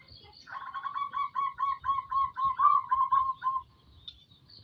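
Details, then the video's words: Local-strain zebra dove in lively song: a rapid staccato series of about thirteen soft, evenly spaced cooing notes over three seconds, then silence. Faint high chirps from other birds are heard. "burung perkutut lokal gacor"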